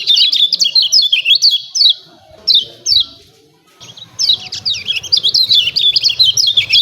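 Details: Lemon-bellied white-eye, played to provoke birds to sing: dense bursts of high, falling chirps, broken by brief gaps, with a faint low hum behind the later part.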